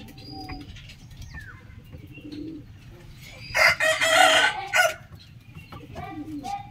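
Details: Rooster at a chicken farm crowing in the morning: one loud, harsh, drawn-out crow in the middle, preceded by small birds' whistles and chirps over a low farmyard hum.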